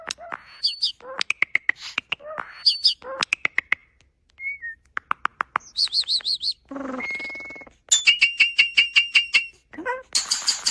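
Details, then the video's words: Mimicking starling producing a varied medley: clicks, paired rising chirps, a short slurred whistle, rattling bursts, a sustained flat whistle, then fast repeated buzzy notes and a harsh hiss at the end. "A starling that makes sounds like a human."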